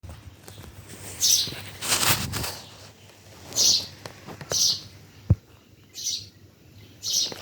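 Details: Birds chirping at Bhimtal: short, high, hissy chirps come in irregular bursts, with a broad rustling burst near the start and a sharp knock midway against a faint low background hum.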